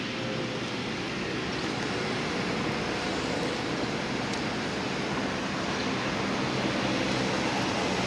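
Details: Steady broadband roar like traffic or wind fills the whole recording, with no clear animal voice.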